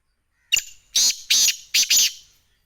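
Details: Black francolin (Sindhi teetar) calling: a short opening note, then three loud harsh grating bursts in quick succession, the last doubled, over about two seconds in an otherwise quiet setting.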